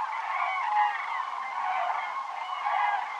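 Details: Cranes in flocks flying south over Navarra in the Pyrenees on 1 November 2017, circling overhead and regrouping: a dense chorus of overlapping trumpeting, rolling calls from many birds, continuous with no pauses.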